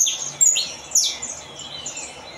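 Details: Saffron finch singing: high, sharp chirps and short downward-sweeping notes, with a couple of louder accented notes and a thin trailing warble, over faint background hiss.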